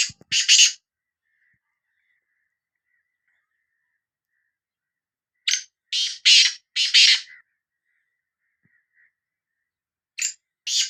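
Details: Sindhi black francolin call: two short grating notes, a long quiet stretch, then a loud phrase of four rough, buzzy notes and another pair near the end.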